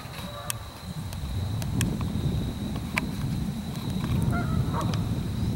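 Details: Honking from Canada geese at Springfield Lake, Churchville Park, Pennsylvania, 25 October 2015: a short burst of honks late in the recording, after a soft early call, set against loud low rumble, scattered sharp clicks and a constant high-pitched whine.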